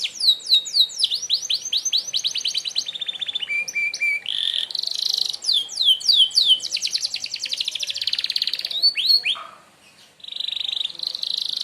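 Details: Lengthy canary 'merlok' sharp shot sequence for training other birds: rapid repeated trills shifting pitch, buzzy bursts and swooping whistles follow one another almost without pause, with one brief quiet gap near the end.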